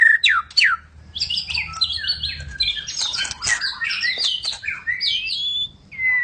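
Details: Medan white-rumped shama, slightly quieter, sings downward-slurred whistles followed by a dense chattering mix of chips and whistles, with a clear drawn-out whistle near the end.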